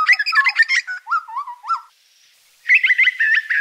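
Grey butcherbird giving rich, piping whistles laced with quick chattering notes, then a brief pause before another rapid warbled burst.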